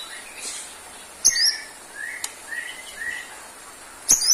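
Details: White-rumped shama song meant for a bird lacking stamina: soft slurred whistles between two sharp high clicks, with faint background hiss.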